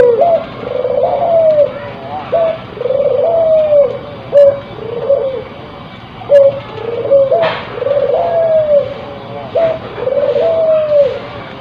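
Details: Crossbred spotted dove in breeding condition giving a steady run of low coos, short pickup notes followed by longer rolling hoots, repeated through the recording with a faint tap and background hiss.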